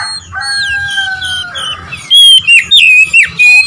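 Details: Oriental magpie-robin song used to provoke rival birds: after a quieter start with two long, steady whistled tones, loud slurred whistles break out in short, bright bursts with abrupt pauses between them.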